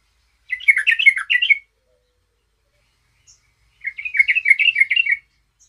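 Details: A yellow-vented bulbul in full song, challenging rivals, gives two bubbly, chattering phrases of rapid liquid notes, each about a second long, separated by a short pause; the background is otherwise quiet.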